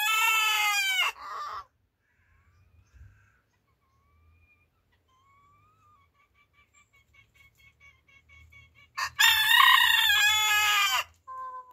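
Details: Rooster crowing in the morning like an alarm clock: a loud, harsh, richly harmonic crow opening the recording, a quiet stretch with faint soft chirps, then a second long strident crow near the end followed by a brief tail.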